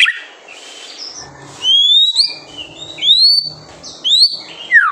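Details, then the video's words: White-rumped shama singing as a master for young birds: a few clear, high, upward-sweeping whistles spaced about a second apart, the last falling steeply, with quiet background hiss between them. "MASTERAN MURAI BATU GACOR SANGAT COCOK UNTUK MEMANCING EMOSI MURAI BATU MUDA ATAU TROTOLAN"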